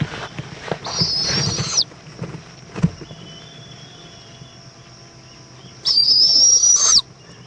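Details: Florida owl nest, Indiantown, 11 February 2014, evening food delivery of a bug to the chick; a hissing screech with a faint whistled tone, a knock, then a second drawn-out shriek about five seconds later.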